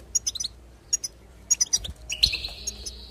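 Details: Goldfinch song to rouse singing: a few clipped, high chirps in small clusters, then a drawn-out buzzy trill closing the passage.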